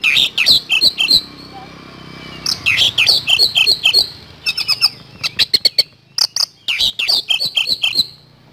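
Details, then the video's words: Kacer, the Oriental magpie-robin, singing continuous 'nembak speed roll' bursts: a steady stream of quick, sharp, chattering notes, several per second, with only brief gaps. "Kacer Gacor Nembak Speed Roll"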